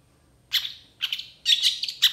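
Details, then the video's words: Agitated long-tailed shrike, said to respond fast to rival shrikes: three harsh, buzzy, grating phrases separated by short gaps, the last a longer rattling burst ending in a sharp clipped note. "PENTET GACOR EMOSI CEPAT DI RESPON CENDET LAIN, MASTERAN CENDET FULL ISIAN"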